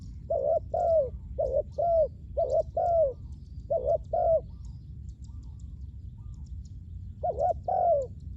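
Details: Spotted dove kept for luring wild doves, bursts of paired hollow coos, then a quiet stretch of nearly three seconds before the calling resumes, faint high bird chirps throughout.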